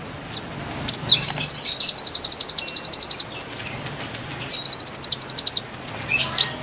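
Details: High-pitched konin song intended to lure wild birds: scattered sharp chips, then two sustained rapid trills of evenly spaced notes separated by a short pause, ending with a few isolated chips.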